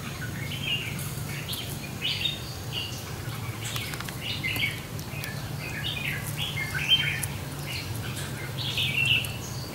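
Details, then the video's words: At a fighting trap in warm sunshine, a Red-whiskered Bulbul used as a decoy to lure a wild bulbul calls repeatedly. Quick clear chirps and short warbled phrases come every second or two over a constant low hum. "Đem Chào Mào Mồi Đi Thu Phục Bổi Rừng Tố Chất"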